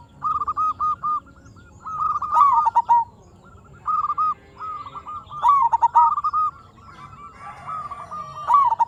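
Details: Local zebra dove singing as a lure to set other perkutut singing: a steady sequence of mellow coos, with loud stuttered phrases breaking in roughly every three seconds among the softer level notes.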